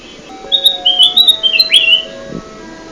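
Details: Trapping lure of a bulbul (kutilang emas): one quick phrase of clear high whistled notes stepping up and down, closing with a swooping upward slur, over a steady background hum.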